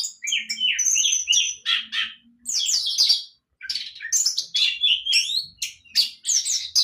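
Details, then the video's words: Orange-headed thrush, a young bird learning, delivers fast varied phrases of whistles, buzzy notes and sweeping slurs, with a short silent break midway. "Burung Anis merah muda belajar mabuk"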